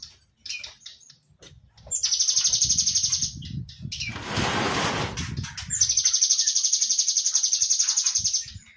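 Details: Cinereous tit (gelatik batu) delivering rapid, buzzy, high trills of evenly repeated pulses. A broad rushing burst, possibly wing flapping, breaks in midway before a second long trill.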